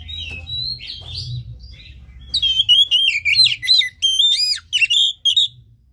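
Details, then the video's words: Oriental magpie-robin song used as a lure for a stalled caged bird: soft introductory whistles, then a vigorous run of loud, ringing notes with steep up-and-down slurs, repeated rapidly for three seconds. "Pancingan KACER malas bunyi macet kurang birahi"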